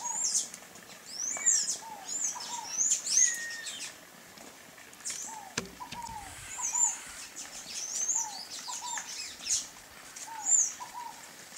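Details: High, thin squeaky notes of sayaca tanagers, coming in scattered bursts of slurred chips. A low, repeated downslurred chirp sounds in the background, and a brief thump comes midway.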